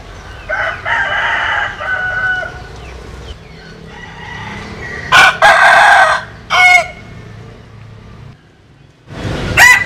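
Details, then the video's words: Roosters crowing, Vietnamese and American Sil chickens: a distant, softer drawn-out crow is followed by nearer, loud, harsh crowing bursts around the middle and a final loud crow starting near the end. "Tổng Hợp Tiếng Gà Gáy/ Synthesize Cock Crows"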